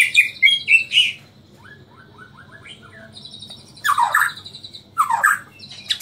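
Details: Caged white-rumped shama from Borneo giving loud whistled notes, a quieter run of soft rising notes, then two sharp falling bursts.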